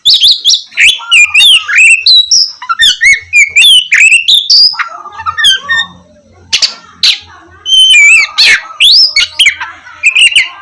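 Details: Vigorous Oriental magpie-robin song meant to spur lazy birds into singing at morning: fast run of rising and falling whistled slurs and buzzy notes, a short pause, then more rich whistles and harsh bursts.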